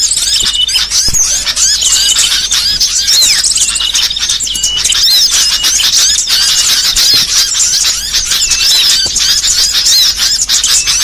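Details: Varied burcil song kept as a training recording for songbirds, a continuous stream of high chirps, quick trills and slurred whistled phrases tumbling over one another with hardly a pause.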